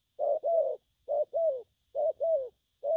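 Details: Spotted dove, a wild-caught bird, cooing in the styles called gù phóng and gù lăn: paired low hollow coos, a short note then a longer one that bends down, repeated about once a second in a quiet setting.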